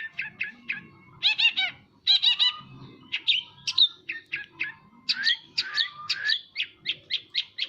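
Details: A long-tailed shrike sings vigorously in a varied medley of rattling trills, scratchy chatter and clear piercing whistles, ending in evenly spaced sharp chips about three per second.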